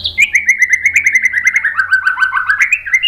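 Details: Lure song of a white-rumped shama, used to stir other shamas to answer: an unbroken rapid chatter of slurred notes, roughly eight per second, sliding gradually lower and then rising again at the end.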